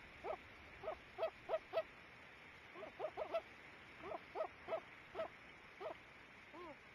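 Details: Two loons in view at 08:30 give soft, short, mellow hoots, about fourteen in seven seconds, single or in quick runs of three, over a quiet background with faint hiss.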